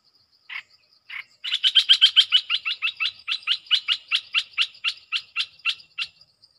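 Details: Caged red-eyed bulbul answering wild birds: two separate short notes, then a long rapid series of sharp repeated chirps, about four a second, slowing slightly toward the end.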